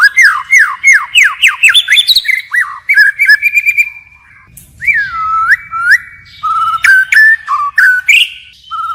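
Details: White-rumped shama singing forest-style and constantly switching phrases: a cascade of loud falling whistles, then long smooth whistled notes that dip and rise, with short flat tones near the end.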